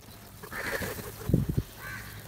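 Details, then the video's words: Crows eating together and calling loudly: a drawn-out harsh caw, a burst of low thumping knocks, then a shorter second caw, all over a faint low hum. "These Beautiful Crow Eating And Feedings Together With Unity | Calling And Crowing Loudly"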